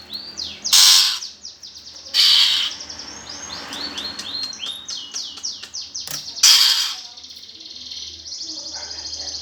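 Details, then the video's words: Greater green leafbird, 'gereja tarung' fighting song used as a lure for competition birds: loud harsh rasping blasts alternating with rapid chattering runs of sliding whistled notes, ending in a thin buzzy trill. "PANCINGAN cucak ijo suara gereja tarung"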